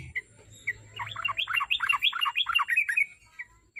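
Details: Lure song of the sooty-headed bulbul for encouraging a kept bird to sing: a two-second burst of tumbling, bubbly chirps, with single notes before and after and a faint low rumble.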